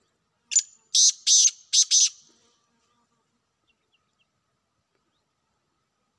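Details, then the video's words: A wild black francolin gives one harsh, grating phrase of five scratchy notes over about two seconds, then silence. "جنگلی کالے تیتروں کی آوازیں"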